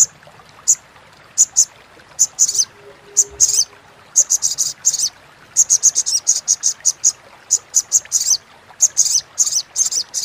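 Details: Long stretch of Crimson sunbird (sogon) crecetan chattering, a tutor for contest birds: many sharp, shrill ticking notes, sometimes in rapid runs, sometimes single, over a faint low hum.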